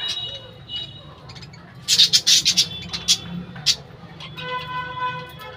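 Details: Colony of budgerigars kept with birdhouses: a cluster of harsh, quick chirps and squawks mid-recording, a couple of isolated sharp notes after, then a steady tonal hum with clear overtones at the end.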